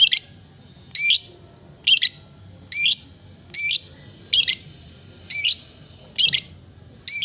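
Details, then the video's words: Repeated clipped, rattly notes from a long-tailed shrike, about one each second, each a quick stacked chatter, over a steady high whine. "the melodious sound of the cendet bird"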